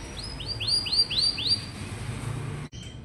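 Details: Canary song played to coax young, reluctant canaries into singing. About six repeated upward-sweeping whistled notes in quick succession, followed by a brief cut and a faint note.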